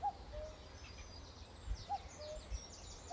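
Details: Cuckoo calling through the trees: a clear two-note, falling cu-coo, repeated twice about two seconds apart, over steady low background rumble with faint higher bird notes.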